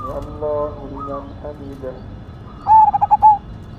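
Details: Zebra dove of the black cemani Majapahit line singing boldly: softer overlapping coos from other doves come first, then a loud phrase of quick throbbing pulses ending in a drawn-out note.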